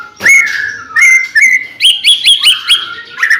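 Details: White-rumped shama song used to encourage other shamas to sing: clear level whistles followed by a quick series of rising upward-slurred notes and a final short whistle.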